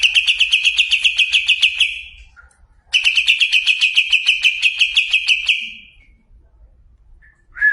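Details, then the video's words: Competition-class greater green leafbird singing two long, rapid bouts of buzzy, evenly pulsed high notes, each lasting about two to three seconds with a pause between, then a short lower whistle at the end. "Cucak ijo kelas lomba"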